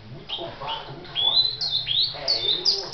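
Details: A brown great-billed seed finch sings clear whistled notes, each a slurred rising or falling phrase, about five in three seconds, getting louder and higher toward the end, over a faint low background rumble.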